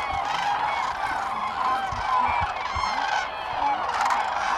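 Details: Crowd of common cranes at Sweden's Lake Hornborga, April 2017, calling together. Rolling, brassy trumpet notes from countless birds blend into a steady wall of sound, with a few clearer bugled notes standing out.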